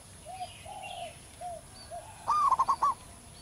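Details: Local zebra dove in the wild: soft lower coos of another dove, then a loud rolling phrase of a rising note followed by rapid pulsed coos.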